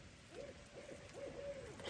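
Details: A barred owl heard on a rainy solo backpacking trip on the Benton MacKaye Trail, calling after a human imitation: a quick run of four or five mellow hoots, the later ones drawn out and sliding down, over steady hiss.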